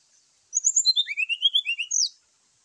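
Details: Brown-chested jungle flycatcher singing a morning fighting song to provoke rival birds: a quick rhythmic string of about a dozen whistled notes sliding down the scale, then a high slurred closing note.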